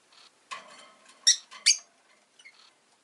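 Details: Rosy-faced lovebird, a pet, utters a short run of squeaky, grating chirps, two piercing notes loudest, followed by a few faint softer squeaks in a quiet room.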